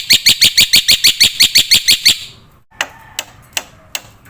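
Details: Black-winged myna singing on a training recording for young caged mynas: about a dozen loud, evenly spaced, harsh ringing notes roughly three per second, followed by quiet and a few sharp isolated clicks.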